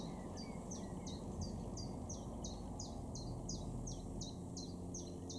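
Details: A common chiffchaff in a garden in Norden, East Frisia, northwest Germany, in June 2023, sings a steady run of about fourteen high, sharp notes, roughly three per second and alternating slightly in pitch, over a low rumble.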